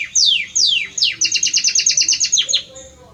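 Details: Belgian canary male singing intensely to his female; loud descending whistled sweeps followed by a rapid, evenly repeated trill of bright high notes, then a few more downward slurs.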